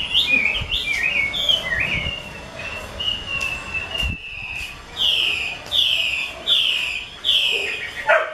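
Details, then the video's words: Chinese hwamei, 'mơ' colour type held by a skilled keeper, opening with varied chattering warbles and a sustained whistle, then delivering loud, clear downslurred whistles repeated roughly every second. "Họa mi mơ siêu vip bộ cực đẹp, hót cực hay của nghệ nhân"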